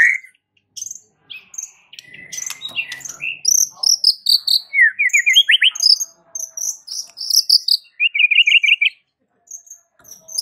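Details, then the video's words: White-rumped shama song meant to set other shamas singing: high sharp chips and whistles interspersed with quick rhythmic trills of rising notes, a busy stream of varied high-pitched phrases. "Suara uniknya jadikan MURAI BATU sekampung NYAUT GACOR dak MAU DIEM"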